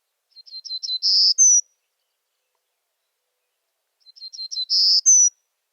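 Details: Golden-cheeked Warbler, breeding on the Edwards Plateau, Texas Hill Country, sings two high, buzzy phrases about three seconds apart, each quick stuttering notes swelling into a drawn-out buzz and a thin rising end note.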